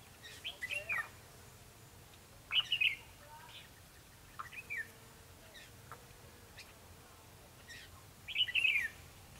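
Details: Red-whiskered bulbul fighting song recorded while trapping, 21 December 2015; short warbled phrases spaced about two to four seconds apart, with other faint calls and a brief word spoken afterward.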